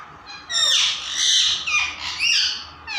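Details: Tame parrot (tota) producing loud, continuous raspy squawking in overlapping bursts, harsh and rough-textured, swelling and fading over three seconds.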